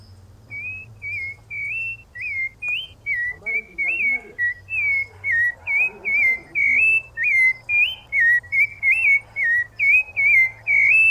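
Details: Loud song of a Rufous-bellied thrush: a long series of varied clear whistled phrases, some rising, some falling, given about twice a second over a faint low hum.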